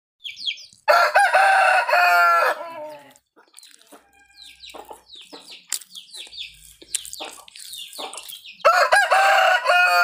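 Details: Rooster in a park crows twice, each a long, loud, harmonic-rich call lasting over a second. Between the crows comes a quieter stretch of chirps and short clucking notes from other birds.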